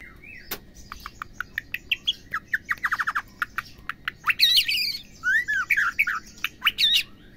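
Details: White-rumped shama female, whose calls are meant to set males singing: a string of dry clicking ticks speeding into a rattle, then loud harsh bursts and curling whistled phrases.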